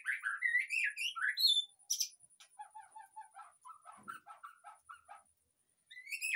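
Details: White-rumped shama lure song for prompting a silent caged bird to sing: rapid varied whistled phrases and slurred upward notes, followed by a sharp burst and a run of softer, lower repeated chirps.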